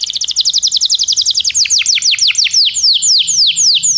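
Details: Belgian canary song that prompts other canaries to sing: a fast rattling trill of descending notes that gradually slows into longer, well-spaced downward sweeps.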